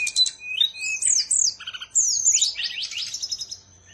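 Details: Bird from Bali singing a lively, varied phrase: quick high chirps, then sweeping whistled notes that rise and fall, and a brief lower burst before a run of rapid twittering notes that fades out.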